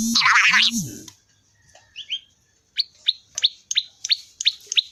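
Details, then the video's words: Prinia in its characteristic 'ceng-ceng' song: after a loud, low burst of noise, a quiet pause, then a regular run of sharp, high, clipped chirps about four per second. "suara asli khas prenjak lumut(ceng2)"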